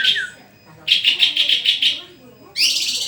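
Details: White-rumped shama in full song, giving a single high note, then a steady trill of about seven rapid repeated notes, and finally a harsh scratchy rising phrase.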